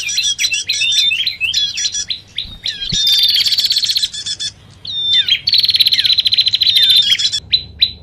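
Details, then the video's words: Bar-winged prinia lure calls combined with common iora: quick repeated chirps, about three to four per second, giving way to loud buzzy trills and a few falling whistles. "Suara Pikat Burung Prenjak Ribut. Kombinasi Sirtu/Cipoh."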